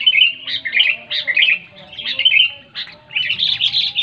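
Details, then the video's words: Sooty-headed bulbul song, loud and clear, used to prompt quiet bulbuls to sing: bubbly, warbling phrases of rich liquid whistles in quick succession, a short pause near the middle, then another run of chattering notes. "SUARA BURUNG KUTILANG NYARING SANGAT TEPAT UNTUK MEMANCING KUTILANG MALAS BUNYI LANGSUNG GACOR"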